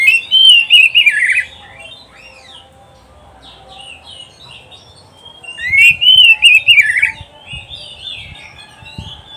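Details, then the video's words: Oriental magpie-robin (kacer) song from a recording meant to train pet birds: two bursts of rich whistled, warbling phrases with rapid slurred notes and sharp high chips, separated by a quiet pause. "SUARA KICAUAN BURUNG KACER TERBAIK"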